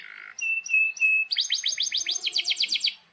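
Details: Canary in breeding excitement, song offered as a tutor for young and silent canaries: a soft hiss, three clear level whistles, then a quick trill of sweeping notes.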